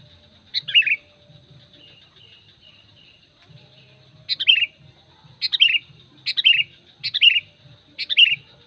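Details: Lure call of a sooty-headed bulbul, meant to draw in wild bulbuls: one sharp, descending chirpy phrase, a pause of about three seconds, then five similar phrases about a second apart, with a soft low rumble beneath.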